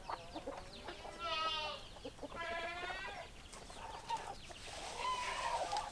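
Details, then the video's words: Chickens calling with loud, harmonic squawks and drawn-out, wavering cries that rise and fall, separated by short clucks, with a soft hum of background noise. "Chicken Sounds Noises Hens Clucking Roosters Crowing"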